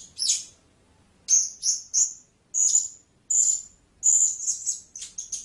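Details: A blue-crowned hanging parrot gives piercing, high squeaks, singly and in short pairs or triplets, with pauses of about a second between groups and a quicker flurry at the end.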